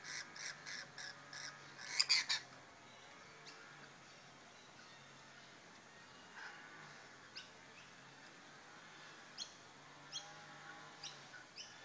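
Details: Rainbow lorikeets mating in the bush give a quick series of harsh, rasping screeches. The loudest bursts cluster in the first two seconds, then a few faint scattered squawks follow over quiet surroundings.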